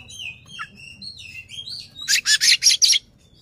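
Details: Singing Oriental magpie-robin, tail fanned in display to agitate a rival: varied whistled notes and slurs open the phrase, which ends in five rapid harsh scratchy bursts.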